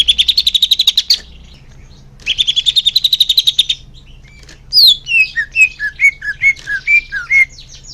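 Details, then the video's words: Greater green leafbird, song used to encourage caged birds to sing fluently: two bursts of fast, even trilled notes, then a run of clear whistles that dip and rise, each distinct. "Suara Cucak Hijau Biar cepat gancor"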